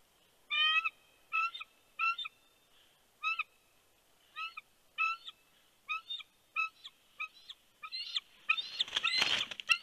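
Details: Bald eagle at a Big Bear nest as a nice-sized fish is brought in, afternoon of 3 February 2020: a rapid series of about twelve short, high, piping chirps, then a burst of rustling noise at the end.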